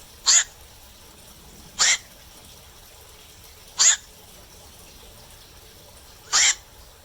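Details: Black-crowned night heron at night giving four brief, hoarse, broadband squawks, spaced roughly every one and a half to two and a half seconds, with nothing else audible.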